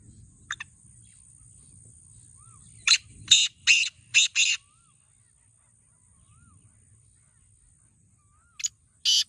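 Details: Kala teetar (black francolin) calling: a few faint scratchy notes, then a loud phrase of five harsh, buzzy bursts, with another phrase starting at the end.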